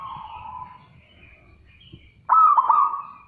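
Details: Loud zebra dove call: a softer coo fades, then a sudden forceful burst of rough cooing notes broken by clicks.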